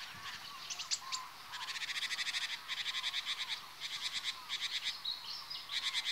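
Great spotted woodpecker giving bursts of sharp, high ticking notes, run together into fast chattering series about ten a second, with faint birdsong behind.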